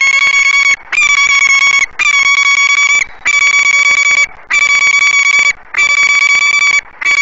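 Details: Great Spirit Bluff nestbox, 06:32 on 28 February 2017: the perched female peregrine falcon loudly scolds the male for arriving empty-handed. Seven rasping, sustained, whining cries of about a second each follow almost without a break.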